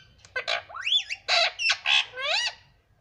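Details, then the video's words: A pet parrot, said to say words such as mummy, papa and mitthu. It gives a run of harsh, harmonic squawks, each with rising and falling sweeps, about six bursts in three seconds, with faint indoor hum. "Parrot talking mummy Papa"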